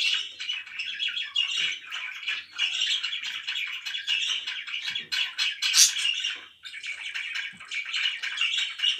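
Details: Indoor pet budgerigars keep up steady, rasping chatter mixed with sharp chirps, one piercing squeak cutting through midway, then a short lull before the warbling resumes.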